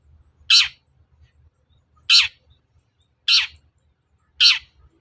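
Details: Long-tailed shrike call used to provoke other shrikes into singing: four loud, harsh, rasping notes, each sliding downward, spaced about every one and a half seconds, over a faint low hum.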